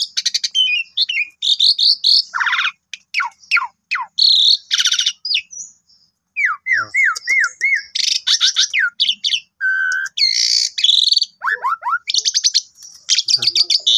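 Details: Captive Asian pied starling singing a busy, rapidly changing 'gacor full isian' song while its owner plays with it on a Friday morning to tame it: high buzzy bursts, falling whistled slurs, repeated short notes and chattering phrases.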